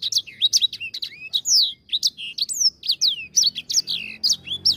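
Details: Lively grey singing finch song used as a lure: a rapid stream of swooping whistles, sharp chirps and downslurred notes with almost no pause, high and bright throughout.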